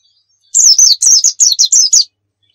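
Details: Short white-eye song phrase, 'nembak' style training recording: after half a second of quiet, six loud, high, down-slurred whistles in quick succession over about one and a half seconds.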